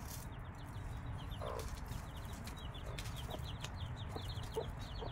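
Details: A mother hen with her five-day-old chicks: a steady stream of shrill, downslurred peeps from the brood, a low soft cluck near the middle, and a continuous low hum.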